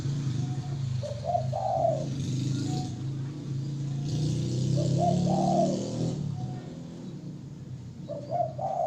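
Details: Spotted dove singing: husky rolling coo phrases repeated about every four seconds over a loud, continuous low droning hum.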